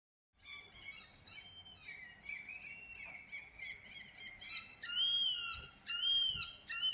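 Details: Herring gull recorded on 30 June, giving a run of nasal, ringing calls, some sliding downward, then two louder drawn-out arching cries about a second apart.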